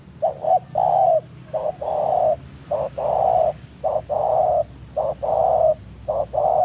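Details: Wild spotted dove repeating its banggo lure call in forest, calling a rival toward a trapping site. Phrases of a short clipped coo followed by a long, full, low coo repeat about every second.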